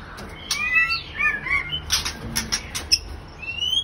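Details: Caged breeding pair of white-rumped shamas: a quick run of bright whistled slurs and warbles with several loud clicks, ending on a thin, high rising whistle.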